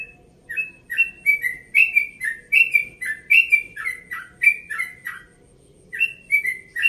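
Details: Yellow-vented bulbul, one and a half years old, from Bekasi, singing at dawn in a relaxed tone: bright whistled two-note phrases dropping from high to lower, repeated in quick succession with a short pause before the last few.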